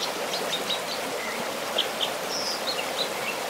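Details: American dipper singing from its rock at a secluded spot about 10 miles northwest of Bishop, California; scattered thin high whistled notes and short slurs, faint against the steady rush of a stream.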